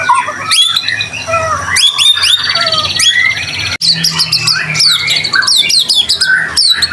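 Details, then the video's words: White-rumped shama in full song as a lure for other shamas: rapid high chattering trills, harsh rasping notes and quick downslurred whistles, delivered in dense bursts one after another. "Murai batu gacor AMPUH buat PANCINGAN murai batu agar bunyi LANGSUNG NGEPLONG"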